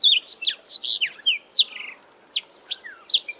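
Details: Black-throated Canary, a small songbird of Africa, singing a rapid run of clear, high, sliding whistled notes, pausing briefly, then resuming with further bright chirps and downslurred notes.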